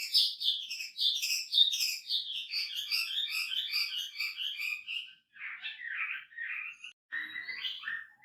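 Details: A wambi in full, chatty song with a rich, varied repertoire, recorded as a training tape, sings a fast warble of chattering, rolling, mostly high phrases for about five seconds, then shorter, scratchier bursts.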